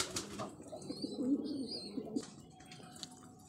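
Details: Pigeons kept at home and dosed with vitamins; a low, wavering cooing phrase lasting nearly two seconds, followed by quieter rustling and a few clicks.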